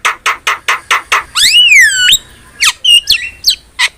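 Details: Javan myna masteran: a string of six short harsh chack notes, then a long swooping whistle that dips and rises, followed by scattered sharp squeaks.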